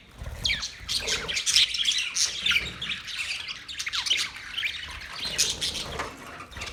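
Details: Continuous parrot chatter, relaxing in mood: overlapping high chirps, warbles and short squawks keep up a busy, even chorus throughout, several birds seemingly calling together.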